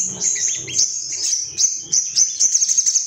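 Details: Ruby-cheeked sunbird male, agitated and hunting rivals, delivers a very high, sustained buzzy trill that breaks into quick repeated ticks toward the end.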